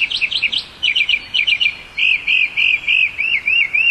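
A Northern mockingbird sings clear, high chirps in repeated sets: one short phrase three or four times, then a new one, ending with a run of slurred whistles.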